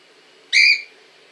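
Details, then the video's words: Cockatiel filmed in Montpellier, France, giving a single brief, rich whistled call that rises slightly and lasts about a third of a second, over a faint steady background hum. "LA PERRUCHE CALOPSITTE 🐦 LE CRI DE LA PERRUCHE"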